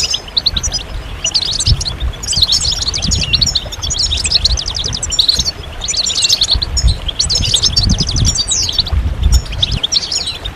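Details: A chorus of European goldfinches, played to encourage males to sing and finish moulting quickly, in bursts of rapid tinkling twitters and buzzy trills that pause briefly between phrases, over a low background rumble.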